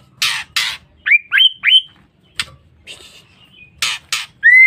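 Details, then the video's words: Female white-rumped shama lure call for provoking males: harsh rasping bursts framing three hooked, upward-sliding whistles, more rasps, then a clear rising whistle at the end. "Pancingan Suara Murai Batu Betina"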